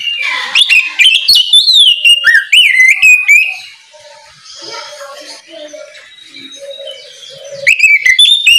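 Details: Loud morning ngeplong song of an oriental magpie-robin, used to call untrained birds to sing. Over three seconds of rapid looping whistles, then a calmer stretch of soft low notes before loud whistling resumes.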